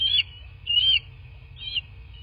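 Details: Bald eagle heard from a southwest Florida nest camera on the morning of 17 March 2024. Three loud, thin, high whistled squeals, each about a third of a second, give a piercing call over a low steady hum.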